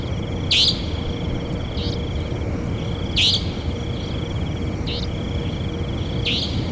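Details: Harsh, buzzy rising calls of a savanna nightjar, three loud notes spaced roughly every two and a half seconds with fainter answering notes between, over a steady shrill whine and low-frequency rumble.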